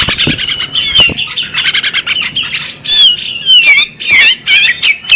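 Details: Loud squawks and sweet whistled downslurred notes alternate from a female bearded magpie robin, given in irregular bursts with short gaps.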